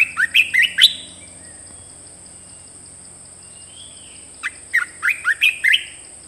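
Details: Caged red-whiskered bulbul singing a new song: two bursts of quick, rich warbled notes, rising and falling, each burst lasting under a second and separated by a long quiet gap, with a steady high background hum.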